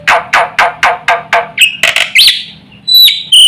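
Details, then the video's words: Black-winged myna song for provoking other mynas to call: a series of six harsh, rasping downward strokes at an even pace, then scattered squeaky and whistled notes with gaps. "suara jalak putih gacor full isian sekali pancing semua burung jalak ribut gacor"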